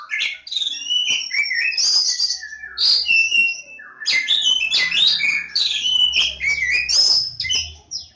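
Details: Kacer Jawa, the Javan Oriental magpie-robin, pouring out loud continuous song: dense rushes of piercing whistles, trills and rasping notes with only short gaps, over a faint low hum.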